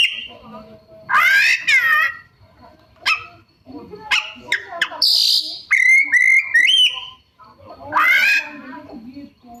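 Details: A singing Oriental magpie-robin pours out mimicked phrases: a falling whistle, clusters of sharp clicks and chirps, a harsh buzzy burst, then a steady whistled trill with chattering notes, ending in a rich sweeping phrase.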